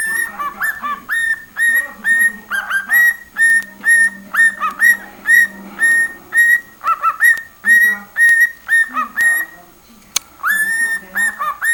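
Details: Cockatiel repeating the same short whistled phrase about twice a second: a quick upward slide into a steady note. The phrase recurs over and over, pausing briefly before resuming.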